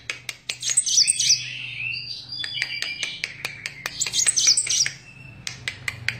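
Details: Energetic Van Hasselt's sunbird song: short, high, sweeping whistles and softer twittering between them, in two bursts, accompanied by frequent dry clicks.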